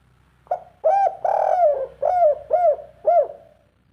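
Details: Spotted dove singing in the three-note kuk 3 style: a faint opening note, then five soft mellow coos, the second long and drawn out, the rest short, rising and falling, in a quiet setting.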